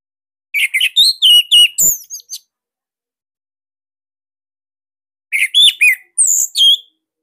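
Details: Bali orange-headed thrush, a cage bird, pours out two bursts of rapid chirps and slurred whistles, some very high and thin, each burst about two seconds, typical of its loud 'tembakan sirtu' master song.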